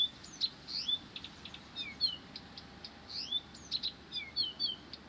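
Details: A Blyth's reed warbler keeps singing nonstop, producing a varied chain of high sharp chips, upslurred whistles and twittering clusters in quick irregular succession against a quiet steady hiss.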